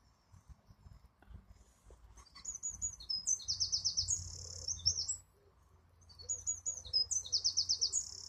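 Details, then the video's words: Singing wren, heard as two energetic high-pitched phrases of quick notes with a buzzing trill in the middle of each, and a quiet pause between them. "This is A Singing Wren"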